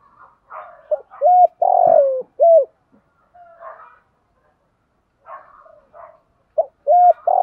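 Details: Spotted dove used as a decoy, cooing in the morning to lure others: loud phrases of short hooked coos around a long sliding coo, separated by quieter soft twittering notes and a pause.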